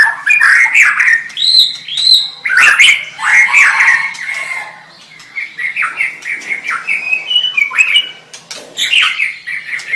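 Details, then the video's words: Song of a white-rumped shama used to help train other shamas: rich sequences of whistled, warbled phrases with quick slurred notes and occasional sharp clicks, a brief quieter gap midway, then more rapid fluttering phrases. "SUARA MURAI BATU Ini Membantu Burung Murai Batu Anda"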